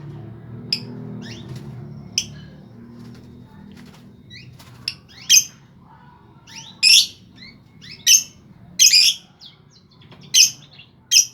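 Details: Lovebird sound used to prompt lazy lovebirds to start singing: sparse shrill squeaks at first, then loud harsh chirps bursting out every second or so over faint background hum.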